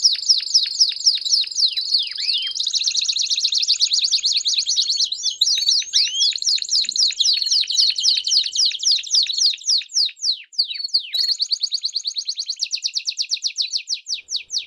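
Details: Long canary campainha (bell) song with peeps for tutoring young canaries: successive high rolls and trills, some sweeping looped notes midway, varying speed, and a fast clipped trill closing the phrase.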